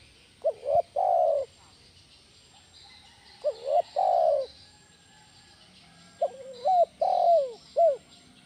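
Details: Spotted dove giving a loud 'kuk 1' style lure call used to draw and train other doves: three cooing phrases, each of quick stuttering notes, a long mellow falling coo and a short clipped final note, spaced about three seconds apart.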